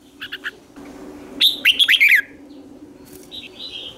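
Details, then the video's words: Red-whiskered bulbul singing as a lure for wild birds: a few soft chirps, then a loud burst of sharply slurred, bouncing whistles and a fading trailing note, over steady low background hum. "Chào mào mồi gọi bổi không tạp âm, tiếng chào mào mồi"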